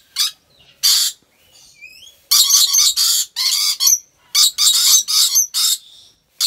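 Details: Rainbow lorikeets kept at the Gurun Putih Lestari wildlife park in Aceh Besar, Aceh, Indonesia: harsh, grating screeches in quick bursts, about a dozen in six seconds, some run together, with faint thin whistled notes in the gaps.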